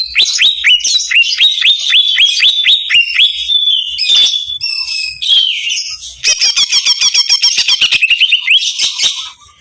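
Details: Agitated greater green leafbird: repeated sharp downslurred whistles about four per second, a few scratchy notes, then a dense rattling burst of very rapid high chirps.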